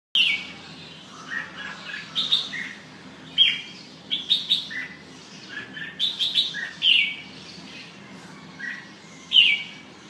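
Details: Red-whiskered bulbul singing: a series of short, clear whistled phrases, some rising and some falling, given in bursts roughly every second with brief pauses between them.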